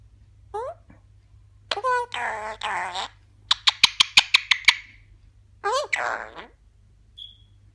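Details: Eclectus parrot kept as a pet, talking indoors: a few speech-like syllables, then a quick run of about eight sharp clicking squawks, followed by another gliding spoken phrase and a faint high whistle.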